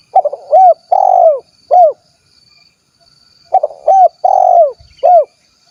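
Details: Spotted dove, 'kuk 1' type, from Cilacap, Central Java, Indonesia: a low cooing phrase of a few quick notes, a long rolling coo and a closing short hoot, given twice about three seconds apart, quiet background.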